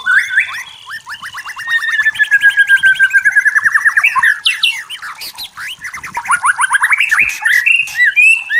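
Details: White-rumped shama (forest murai batu) singing clearly in natural surroundings: varied whistled phrases, then a fast run of repeated notes rising and falling, more trills near the end, with higher chips from other birds layered above.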